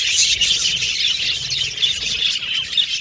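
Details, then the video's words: Several colourful pet budgies chatter and sing at once, producing constant high squeaky warbles and sharp squawks layered over each other. "Australian Budgies Birds Singing & Chirping Sound"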